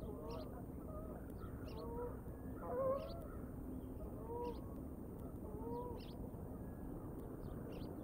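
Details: Bald eagles at the Decorah nest, filmed by a live nature cam on 13 September 2022 at 17:16; faint, high, short descending chips repeat about once a second over steady low rumble, with lower tonal calls beneath.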